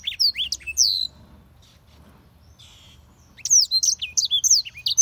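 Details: Black-throated canary delivering high, slurred whistles and chirps, pausing for over two seconds with only faint background noise, then resuming a quick run of bright twittering notes.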